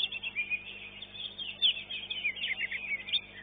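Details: Contest greater green leafbird, kept caged and placed second in its class, delivers high thin whistles and short slurred chirps in quick bursts; low steady hum beneath.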